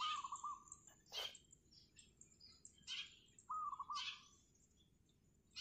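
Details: Zebra dove, wild, perched on a roof in the morning, giving two quick rolling coo phrases of stuttered notes, each about half a second long, among loud high chirping from other birds and a sharp click.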